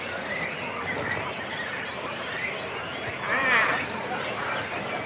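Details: At a cormorant nest in a colony, chicks and adults call close by: a steady murmur of rough colony calls, broken near the end by one louder wavering, harmonic cry.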